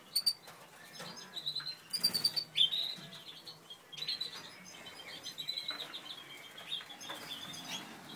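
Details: Breeding Satinet canaries, a Natur/Satinet male and a Satinet female, start with loud sharp chirp clusters, then continue with softer rambling twitters and thin whistled notes that run on steadily.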